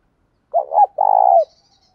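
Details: A spotted dove, voice style 'đồng' mixed with 'thúc bổi', gives a short, clipped double coo and then a long, steady, slightly throbbing coo that fades. A faint high chirp follows.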